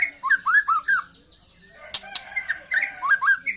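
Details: Young white-rumped shama singing in the trotol style: quick runs of short, slurred whistled notes with bright upper tones, about four per second, a pause near the middle, then a second run.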